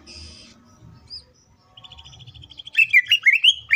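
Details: Green leafbird lure song: a buzzy note, a soft rapid ticking series, then loud fast sweeping whistled chirps in an excited run.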